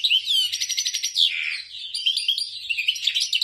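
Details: European goldfinch song with notes of the touala style: a fast, continuous stream of high, twittering, buzzy trills and rapid chirps, with sweeping slurred notes in the middle and no other sounds.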